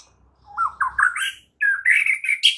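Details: White-rumped shama song in the morning, played to train other shamas to sing: rising series of slurred whistled notes climbing in steps, then a burst of richer warbled notes, clean background.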